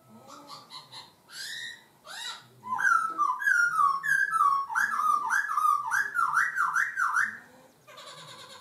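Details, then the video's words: Laughingthrush singing with shifting voice: varied short notes, then a loud continuous run of rising and falling whistled zigzag phrases lasting about five seconds, ending in soft chatter. "chim khướu hót hay đảo giọng"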